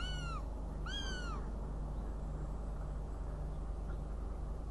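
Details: Northern goshawk in Riga, 29 June 2016, calling twice with plaintive, arched wails in quick succession, followed by quiet with only a steady low hum.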